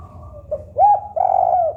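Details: A spotted dove coos softly at first, then delivers a short arched hoot followed by a longer, vibrating, level coo, mellow and low-pitched against a quiet hum.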